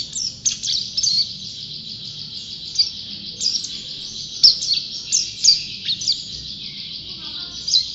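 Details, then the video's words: Champion pleci, or white-eye, singing busily: high, thin twitters and sharp chip notes in quick bursts, with brief quieter gaps between the louder phrases. "Burung Pleci Juara Gacor"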